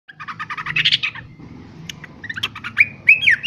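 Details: Yellow-vented bulbul, noisy, giving a burst of rapid chattering notes followed by a few louder, bubbly whistled phrases.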